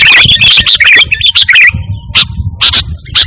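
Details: Energetic sooty-headed bulbul song from Indonesia, free of borrowed phrases and meant for luring and training pet birds: a dense run of bright chirping notes, then isolated sharp chips spaced by pauses over low background noise.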